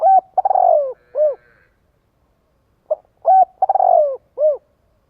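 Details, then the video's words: Spotted dove calling to lure and gather others of its kind: a soft rhythmic coo phrase of a short note, a stuttering drawn-out falling coo and a final rounded note, given twice with a pause between. "Tiếng chim cu gáy kích bổi gọi bầy hiệu quả."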